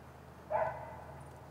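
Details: Great grey owl at the nest, captured by nest camera on 30 June 2018 around early afternoon: a single harsh, breathy call lasting a fraction of a second, fading into low hum.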